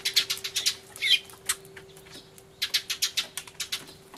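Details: Excited sparrows crying loudly, 24 March 2013, Everio camcorder, with a turtledove nearby: quick series of bright, high chirps in two volleys, with a short silence between them.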